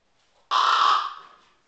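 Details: Pet common raven imitating the snoring of an elderly Tibetan Mastiff: one rough, hissing, breathy rasp lasting about a second, loud at first and then trailing off, with silence before and after.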